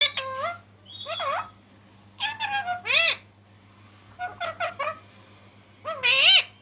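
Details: Pet ringneck parrot talking in Hindi, saying it is hungry: four bursts of squawky, speech-like phrases with wavering, bending pitch, separated by short pauses, over a low steady hum.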